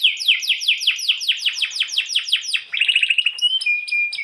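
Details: Training master song of a canary for birds that have stopped singing or won't mate: descending slurred notes repeated about five times a second, then fast chatter and level whistled tones.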